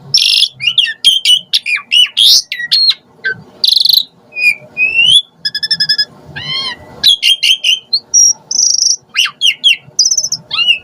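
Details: Asian pied starling (jalak suren) used as a lure for other starlings; dense medley of harsh bursts, sharp upslurred whistles and ringing harmonic notes, nearly continuous.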